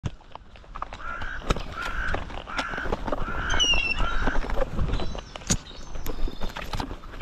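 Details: Gulls feeding, heard from ground level: a run of five harsh, evenly spaced calls, each about half a second, then a higher squealing cry, over wind, clicks and thumps from pecking and movement.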